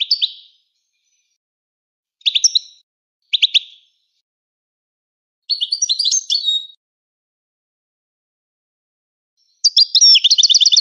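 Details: Moroccan goldfinch giving short separate phrases: brief chirps and double notes, a longer jumbled twittering sequence at mid-clip, then the start of a rapid trill at the end, with silence between phrases.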